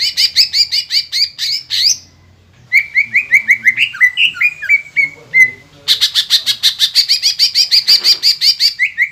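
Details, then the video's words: Green leafbird song meant to trigger singing in other birds: fast repeated sharp chirps, a short gap, then looping whistled slurs and another long run of rapid, piercing repeated notes, with a faint low hum. "PANCINGAN CUCAK IJO GACOR INI MAMPU BIKIN EMOSI LAWAN CUMA HITUNGAN DETIK"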